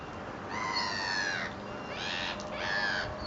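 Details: Gulls gathering for bread at Fleetwood Docks on a sunny day; a long, harsh, wailing cry lasting about a second, then a second similar nasal cry, with quiet harbour background.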